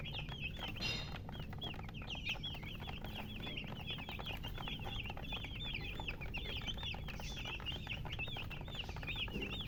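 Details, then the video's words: Many chickens peep nonstop, high-pitched falling chirps crowding together in a steady chorus over a faint low background hum. "silly chicken chirping sounds"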